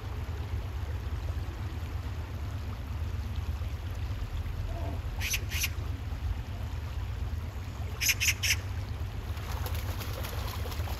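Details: Oriental magpie calling: two grating notes, then a quick trio of harsh rasps a few seconds later, with a deep steady background drone throughout.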